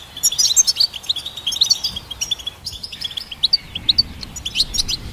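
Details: Twittering song of a goldfinch hybrid, used to train songbirds. Dense bursts of tinkling chirps and trills come first, then a brief lull before more scattered, high, sharp notes.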